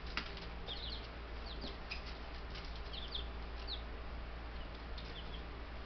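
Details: Ten baby Buff Brahma chicks in a homestead bird yard, a few days after arriving by mail, peeping in a busy flock: thin, high, downslurred peeps overlapping in bursts, over a steady low electrical hum.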